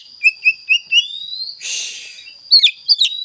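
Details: Oriental magpie-robin, kept as a singing bird, delivering a short series of four rising whistled notes, then a long upslurred whistle, a burst of harsh noise, and sharp swooping chirps, over a steady high tone throughout.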